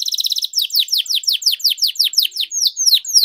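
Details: Canary in long-rolling training song, starting with a fast buzzy trill and moving into quick, regular downward-sweeping chirps, several per second.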